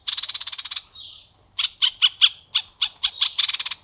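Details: Red-eyed bulbul singing in a strong, steady style: a fast buzzy rattle, a soft slurred note, then a string of sharp clipped notes ending in another rapid rattle.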